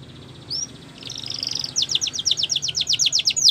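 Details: Yellow canary in the wild gives a lone whistled note, a soft buzzy warble, then a fast regular series of sharp chipping notes, about four per second, over faint low hum.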